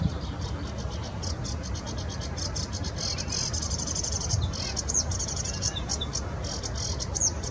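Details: In the Bitsa forest recreation area, a sedge warbler delivers a long run of dry, rapid high-pitched chatter in pulsing bursts over continuous low-frequency background noise.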